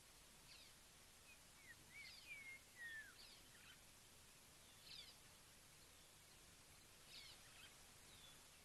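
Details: A Black-crowned Tchagra calls at an African waterhole, giving a few clear, falling whistles in the background, with faint chirps from other birds over a steady outdoor hiss.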